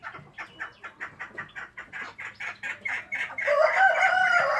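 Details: Kept chukar partridge giving a run of evenly spaced chuck notes that speed up and build into a loud harsh rattling call at the end.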